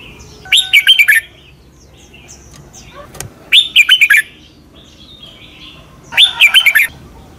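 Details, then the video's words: Thai Red-whiskered bulbul giving a slow, clear doubled song in a southern master style, meant for young birds to learn: three brisk phrases of looping whistled notes about three seconds apart, with a single sharp tap between. "เสียงนกกรงหัวจุก เบิ้ล แม่บทใต้ เพลง พยางค์ เสียงชัด ก๊อปติดง่าย"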